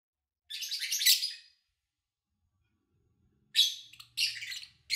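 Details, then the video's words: Kept lovebirds recorded over three days in August 2019 while their owner was away, with little engine noise or human activity: a harsh, buzzy chirp burst, a second of quiet, then several more scratchy, high chirps in quick succession. "Sounds of Lovebird Chirping"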